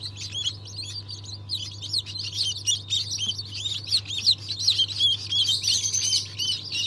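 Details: Newly hatched Cream Legbar, Australorp and Ayam Cemani chicks, hatched 07.02.2023, in a dense chorus of high, rapid peeps overlapping almost continuously, with a steady low machine hum underneath.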